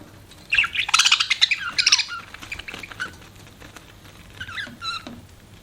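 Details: Budgerigars chirping: dense bursts of bright, squawky warbled chatter in the first two seconds, then sparser scratchy chirps and short rising notes toward the end.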